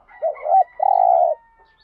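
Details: Spotted dove cooing, part of a full set of calls used to stimulate and lure other doves: a short looping coo followed by a long, steady, low purring coo, with a faint higher tone above.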